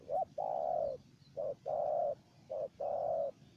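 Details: Wild spotted dove and a decoy bird calling back and forth: three rounds of a quick short coo leading into a sustained soft coo, repeated steadily, with faint ambient hum.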